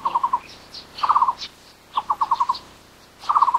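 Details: Endemic Taiwan barbet of Taiwan's lowland broadleaf forest: rapid hollow pulsed phrases of four to six notes, one burst about each second, with soft higher chirps from other birds in the background.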